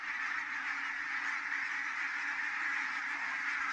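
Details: Large flock of geese landing at Kulgu, Estonia, on 4 May 2018 at 17:58, a dense, unbroken chorus of overlapping honking and gabbling calls that holds steady throughout.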